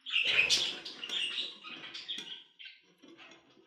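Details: Budgerigar warble for sleep sounds: a scratchy chattering phrase fading over a few seconds into softer chirps, with a faint low rustle underneath.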